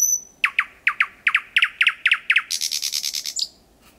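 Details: Singing thrush nightingale at 01:23 in Kiili parish, 4–5 metres distant: paired loud clicking notes repeated about four times a second, turning into a quick high buzzy rattle that fades out.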